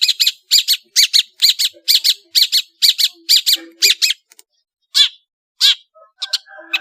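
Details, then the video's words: Vigorous Madura long-tailed shrike song, full of variations: a brisk series of evenly spaced, harsh chattering chirps, followed by a pause and a few separate squeaky notes with faint low background sounds. "SUARA burung CENDET GACOR master full variasi | ASLI cendet MADURA GACOR DOR"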